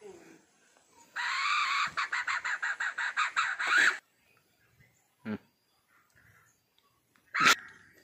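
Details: Female red junglefowl giving a harsh, rasping cackle of about ten quick pulses over three seconds, followed by two short, sharp single notes.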